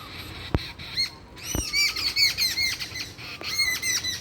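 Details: Several birds chirping together outdoors, with many overlapping arched, high chirps and squeaky notes repeated in quick bursts, plus two sharp knocks near the start.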